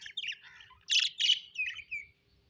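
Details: Happy pet budgerigars chirping: a burst of bright, buzzy warbled notes with quick rising and falling squeaks, two louder harsh chirps near the middle, then a short twittering trail.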